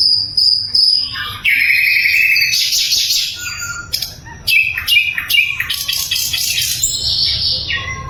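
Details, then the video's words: Clear, loud sikatan londo flycatcher song for training murai and other songbirds: thin high whistles give way to a buzzy trill and a quick series of sharp, repeated chirps. "SIKATAN LONDO GACOR - SUARA LANTANG & SUPER JERNIH"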